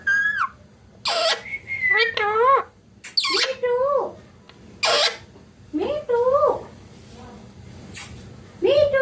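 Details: Parrot chattering in a steady run of speech-like calls, roughly every second. Harsh broadband bursts alternate with wavering, rising-and-falling harmonic syllables.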